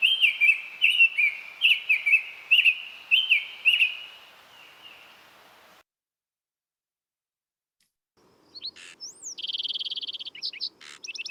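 Summer Tanager song: slow, clear whistled phrases, rising and falling, about seven in quick succession. After a pause, a rapid, buzzy sparrow trill follows.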